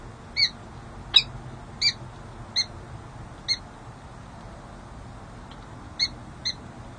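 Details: Peregrine falcons, a female and a male pair, at the San Jose City Hall nest ledge in January, the female flirting with the male: short sharp chips repeated irregularly, about eight over seven seconds, over a low steady urban hum.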